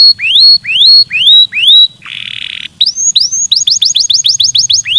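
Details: Canary song meant to stimulate singing: looping rising whistles repeated about once a second, a half-second of harsh noisy buzz, then a quickening run of upward-curling chirped notes.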